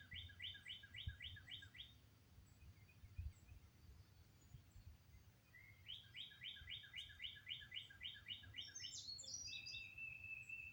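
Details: Birds singing outdoors in Oklahoma on 22 May: two fast trills of crisp repeated chirps, each lasting about two seconds, then a higher twittering phrase and a steady thin whistle, with low rumbling wind noise beneath.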